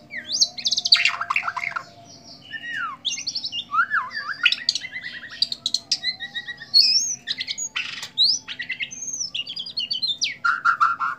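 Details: White-rumped shama performing a bowing display, pouring out a long varied song of loud whistles, buzzy rattles, descending slurs and harsh chattering bursts, rich and continuous.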